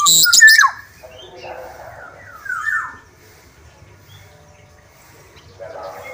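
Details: Black-naped oriole of the Sumbawa type, singing actively: a sharp burst of noise opens, then two fluty notes slide downward, with faint warbling in between and a soft chatter at the end.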